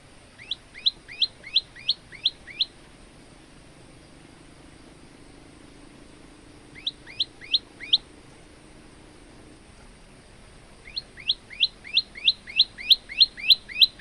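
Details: Olive-backed tailorbird male singing varied song for training other birds: bursts of rapid rising chirps, about seven in a row, a pause, a short run of four, then a longer fast series near the end.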